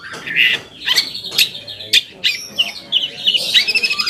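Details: Long-tailed shrike singing as a lure for rival shrikes: rasping harsh notes followed by a quick run of twittering, warbled phrases that speed into rapid repeated chips near the end.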